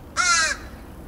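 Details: Backyard crow in Edmonton, Alberta, Canada, 28 August 2012: a single loud, harsh, slightly descending caw lasting under half a second, over quiet background hum.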